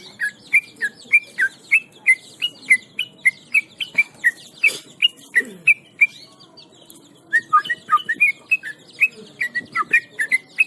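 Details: Very tame Yellow-vented Bulbul, locally trucukan, singing continuously in 'gacor ngebram' fashion while held. Evenly spaced bright whistled notes, each with a downward-then-upward slur, run steadily, pause briefly amid handling noise, then resume faster.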